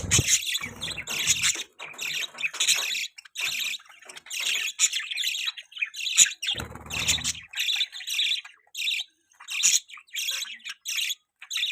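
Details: Pet budgies chirping in a busy chorus: harsh, buzzy chatter in rhythmic bursts about once a second, with squawky notes, a short low thump midway and brief gaps between phrases.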